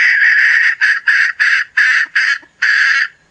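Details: Hen calling loudly with long, rasping, harmonic notes repeated with brief gaps, seven bursts in just over three seconds, with little background noise.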